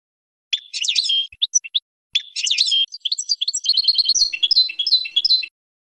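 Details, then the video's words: European goldfinch song meant for training young birds: two bursts of bright twittering and tinkling notes, the second long and varied with quick liquid slurs, high-pitched and clear against silence. "GOLDFINCH 12h New KING for Training Song"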